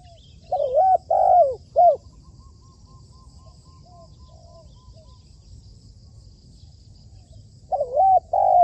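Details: Decoy spotted dove in training on a rooftop opens with a loud phrase of three coos. A series of faint, quiet coos follows, and a new loud cooing phrase starts at the end.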